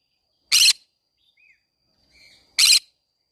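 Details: Green-cheeked conure singing in a flower garden. Two short, grating screeches come about two seconds apart, with soft faint chirps from other birds in the gap between them.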